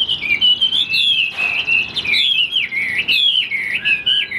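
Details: Tame caged Chinese Hwamei, about 95% tamed, offered for sale, said to have a very good voice and to keep its tail fanned even when not singing; loud, fluid whistled phrases with quick up-and-down slurs, nearly continuous.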